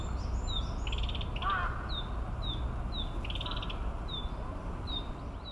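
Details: Narcissus flycatcher in song at Maruyama Park, Sapporo, Hokkaido, Japan, 17 May 2017; bright whistled phrases alternate with brief high downslurred notes, over steady low-pitched background rumble and a harsher rough note early on.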